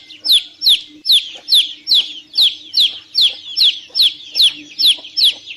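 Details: Young chickens piping a regular series of about thirteen high, sharply falling peeps, evenly spaced a little under half a second apart.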